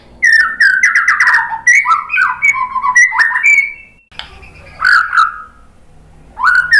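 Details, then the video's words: White-rumped shama lure song meant to draw responses: a dense phrase of warbled whistles and chirps, a brief pause, then two shorter rich whistled bursts. "suara MURAI BATU bikin cepat NYAUT jadi GACOR BONGKAR MATERI ISIAN ¦ PANCINGAN MURAI ¦ SHAMA BIRD"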